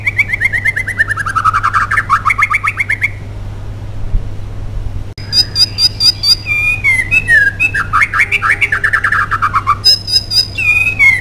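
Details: White-rumped shama in full song, played as a lure to make other shamas sing; rich rapid warbled trills and slurred whistles, a short pause at mid-point, then high piercing notes and further fast rolling phrases, over a steady low electrical hum.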